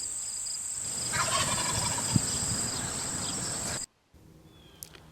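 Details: A male wild turkey (tom) gives one rapid, rattling gobble, its mating call, lasting about a second over a steady high hiss. The recording then cuts abruptly to near silence.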